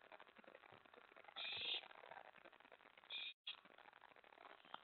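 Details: Owl at its nest during a night-time prey delivery, 24 May 2017. One longer harsh hiss is followed a second and a half later by a shorter one, then a brief dropout in the sound.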